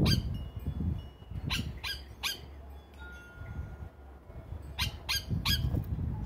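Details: Evening visit of a Yellow Oriole, or Plantain bird, to a Trinidad feeder before roosting. It gives three raspy notes, falls quiet with a faint thin tone in the background, then gives three more raspy notes.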